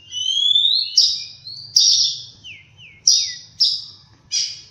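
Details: A rising drawn-out whistle opens this morning song of the oriental magpie-robin, followed by loud ringing chirps and soft down-slurred notes, delivered in separate bursts roughly every half to one second.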